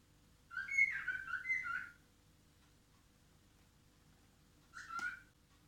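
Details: A male white-faced cockatiel sings a quick run of warbling, clear whistles copied from a phone ringtone, then adds a short whistled phrase.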